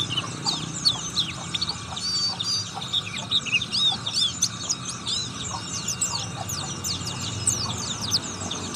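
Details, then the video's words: Oriental white-eye giving a rapid, continuous twitter of thin, high chirps and short slurred whistles, over a steady low background hum. "pleci buxtomi ngriwik"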